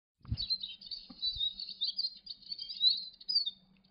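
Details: Eurasian siskins feeding at a Niger seed feeder twitter steadily, a high, thin, run-on chatter of rapid chirps, with a few soft knocks and a faint low hum at the start.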